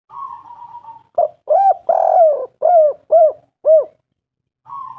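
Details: Spotted dove lure call: a low murmured coo, then a rhythmic phrase of five or six rounded, mellow hooting notes in quick succession, the longest note in the middle, ending with another soft low coo.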